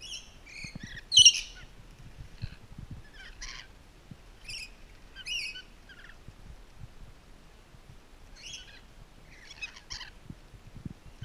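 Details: Rainbow lorikeets in a zoo, at Twycross Zoo during enrichment, give harsh, screechy bursts in short volleys. One loud shriek comes near the start, then scattered rasping calls about once a second with brief pauses, over faint low knocking sounds.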